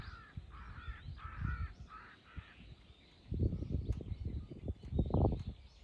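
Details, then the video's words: Crows, three birds, mobbing a hawk on 21 October 2023; a clear series of loud, harsh caws in the first two seconds, then louder low thumping and rustling noise with sharp clicks. "3 crows vs hawk ,カラス,까마귀"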